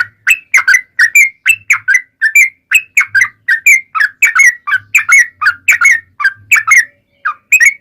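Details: Yellow-vented bulbul in long, energetic song played as a lure to prompt other bulbuls to reply; steady stream of chirpy, gurgling whistled phrases, roughly 80 notes a minute, briefly pausing near the end.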